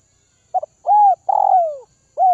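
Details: Spotted dove from Vietnam's northwest highlands, a bird being hand-fed and tamed to lose its fear of people, giving a short burst of clear arched coos around mid pitch, four notes with the third one long and falling.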